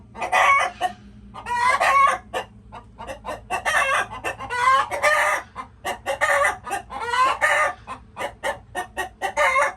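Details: Chickens making noises: dense, rapid clucks and harsh squawks overlapping almost continuously, several birds calling at once with loud bursts and short gaps.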